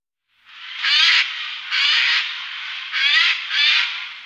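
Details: Eurasian jay calling in the morning in the Wittlicher Tal, 2018: four loud, hoarse, scratchy screeches at roughly one-second intervals, each harsh burst lasting about a third of a second.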